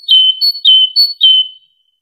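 Java sparrow giving four clear, ringing, high notes about every half second, each starting sharply and holding a steady, bell-like tone.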